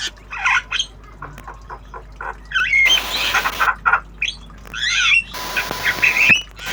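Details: Tame Javan myna learning sounds, singing in lively obyogan style: a jumble of harsh squawks, rasping bursts and brief whistled notes, delivered in rapid irregular phrases with short pauses.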